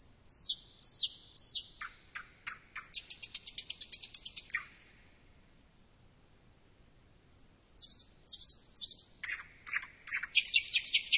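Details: Song of a thrush nightingale: spaced descending notes lead into a long, rapid, dry rattle, a pause, a sustained thin whistle, then more rattling phrases that speed up at the end.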